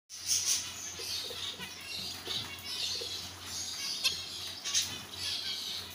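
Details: Adult Isabel-mutation zebra finch pair, over seven months old and ready for breeding: high, buzzy, nasal chirps in quick, uneven bursts over a low hum.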